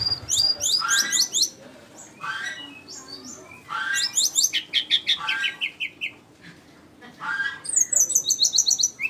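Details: Flycatcher song in bursts of rapid, high, tinkling chirps and slurred notes, separated by short pauses, with a descending series of repeated notes near the middle and a thin high whistle at the end.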